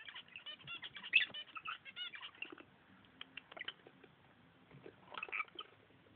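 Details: Female and male pet lovebirds playing at their nest give a burst of rapid, shrill, buzzy chatter with quick repeated squeaks, then a lull of soft ticks before another high chattering outburst near the end.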